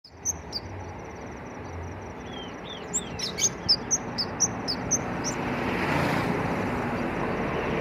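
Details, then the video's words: Ashy tailorbird in lively song: sharp, high chirps repeated about twice a second, with a few short down-slurred whistles early on, over a constant high insect drone and broad background noise. "burung kemade/bangsit gacor dor"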